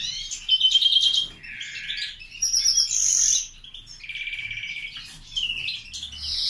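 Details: A captive-bred grey-winged mutation European greenfinch sings a lively, varied medley of fast rippling trills, buzzy wheezes and thin high twitters, one phrase running into the next without pause.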